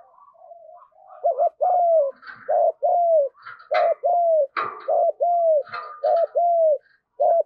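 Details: Spotted dove in rapid driving and fighting coo, the style used to lure rivals: short warbled coos follow each other closely, about one per second, mixed with sharp clicks and brief higher scratchy sounds.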